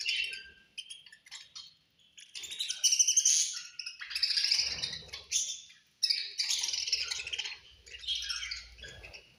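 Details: At feeding time, several budgies warble and chirp in overlapping high, buzzy phrases, with bright squeaks rising and falling in loud waves separated by brief pauses.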